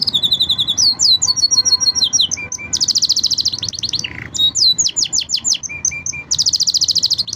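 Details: Five canaries deliver a training song of rapid high trills and rattling rolls, broken by a brief lower swooping note and short paired chirps, then a dense buzzy trill at the end.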